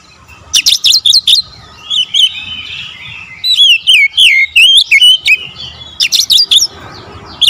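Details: Magpie-robin delivering bursts of sharp high notes and sweeping, warbled whistles, phrases repeated in quick clusters with brief pauses, bright and loud throughout.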